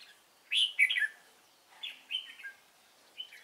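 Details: Trapping a Red-whiskered bulbul, Cánh ruồi type, on 3 March 2017: an emphatic tumbling warble, followed by two softer slurred phrases and a brief closing chirp.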